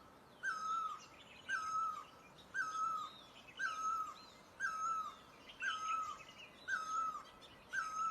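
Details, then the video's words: A great barbet in Asia repeats a rich, curving note eight times at very even one-second spacing, accompanied by thin high chirps and low background hiss. "Great Barbet, นกตั้งล้อ"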